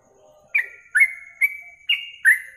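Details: Yellow-vented bulbul in a training recording for contest songbirds, used in morning and evening tests. After a soft low murmur come five clear notes, each a quick attack held as a steady whistle, spaced roughly half a second apart.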